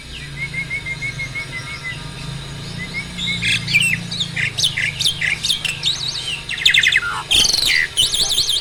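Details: Adult male Asian pied starling, caged and at stable breeding peak, singing with pumping display; soft repeated chirps open, then loud varied buzzy whistles and chattering notes build toward the end over low hum.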